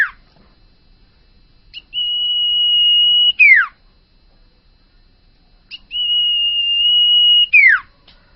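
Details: Common iora (sirtu), bakalan bird singing gacor owor-owor style: two long flat whistled notes about four seconds apart, each finished by a sharp descending slur, in a quiet setting.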